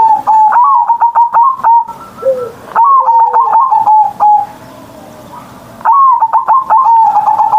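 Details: Morning song of a kept zebra dove in Indonesia: three bursts of rapid staccato coos with rolling trills, separated by pauses holding soft low coos.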